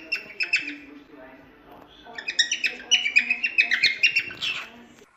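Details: Chattering cockatiel song meant to teach chicks, a few chirps, then a rapid run of bright twittering notes about four per second.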